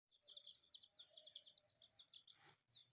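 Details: Four colourful pet chicks playing; shrill, high peeps pour out in quick overlapping bursts, each note arching up then down, with brief pauses and a faint low rumble underneath.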